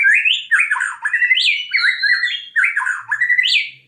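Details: White-rumped shama (murai batu) singing a lure song meant to trigger other shamas: loud, rich phrases of rising and falling whistled notes with quick slurred twists and a few high sharp chips.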